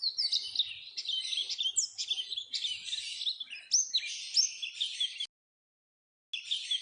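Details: Rapid high twittering and slurred chirps of Oriental white-eye, a training lure for caged birds, with one short silent break before the song resumes.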